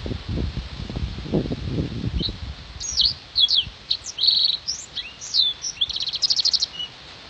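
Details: Blackthroat, a contest training bird, sings in loud bursts of sharp, high chirps and trills after a low rumbling start, with a fast buzzy trill near the end.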